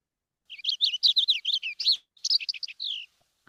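Purple Finch song: a fast, rich warble of slurred high notes tumbling for about two and a half seconds, ending in a slightly drawn-out phrase.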